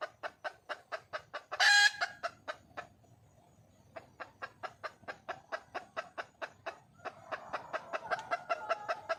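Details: A wild red junglefowl hen calls for a male with rapid clucks, interrupted by a loud harsh burst and a short silence, then resuming in a long, steady series that swells toward the end.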